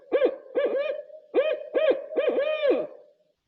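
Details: A Barred Owl in Florida, often heard around sunset, gives its rich, rhythmic 'who cooks for you' hooting: about eight deep, slurred hoots in quick groups, the last drawn out. Nothing else is heard.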